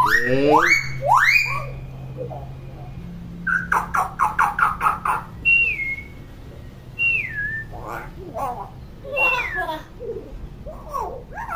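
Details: Common hill myna, a chatty, constantly vocal bird, gives loud rising whistled sweeps, a long level whistle, then a rapid series of sharp clicks and varied whistles. Low hum runs underneath.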